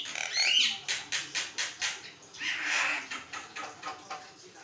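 Javan myna singing nonstop: a brief whistle, then harsh, raspy chattering bursts repeated rapidly, with a longer hoarse phrase midway.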